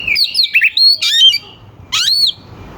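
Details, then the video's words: Brief, loud burst from a singing oriental magpie-robin, used to provoke rivals: sharp, high whistled slurs, a short pause, then a rising whistle. "Suara kacer gacor NGEPLAY KONSLET pancingan kacer ampuh bikin lawan ikut EMOSI"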